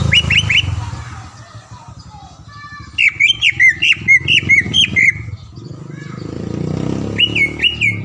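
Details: Green leafbird lure song for provoking rival birds to sing: short bursts of ringing whistled and chattering notes separated by pauses, over steady low rumbling background noise.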